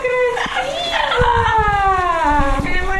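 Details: Shower-time opera from a pet male yellow-naped amazon in New Jersey: a sustained harmonic note that rises slightly then slowly falls, held for about two seconds, with splashing water underneath.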